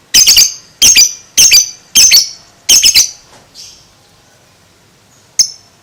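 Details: Young lovebird aged two months uttering five harsh, rasping high squawks in quick succession, followed by quiet and one final sharp call.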